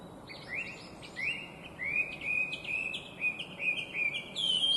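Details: Chinese hwamei, an invasive species, singing melodiously: a series of fluid slurred whistles that grow louder and quicker, each phrase dipping and rising, ending on a higher sustained note, with faint hiss behind.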